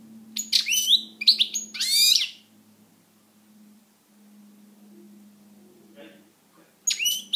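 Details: Caged pet European goldfinch singing indoors: bursts of bright twittering and sweeping notes over the first two seconds, then a quiet stretch with a low steady hum, and a fresh burst near the end.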